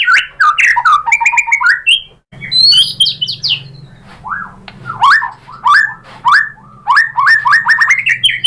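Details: Lure song of a white-rumped shama (murai batu) for prompting other shamas: varied whistled phrases and buzzy trills, a brief gap early on, then a run of rising slurs, with a faint low hum behind.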